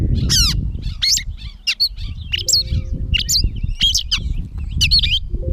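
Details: Gray catbird singing in Bowdoinham, Maine, on 16 May 2020: a rambling run of varied squeaky, whistled and scratchy notes, including a steep descending sweep, with low rumbling background noise and a faint steady hum.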